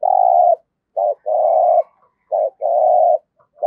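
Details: Decoy spotted dove cooing in the 'giọng thổ' voice: low phrases repeat about every 1.3 seconds, each a brief clipped note followed by a long, steady, resonant coo.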